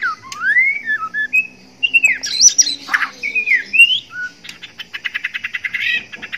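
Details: Male white-rumped shama in breeding condition courting a female, pouring out loud varied whistles, rising and falling slurred phrases with harsh notes, then a rapid rattling series of repeated clipped notes.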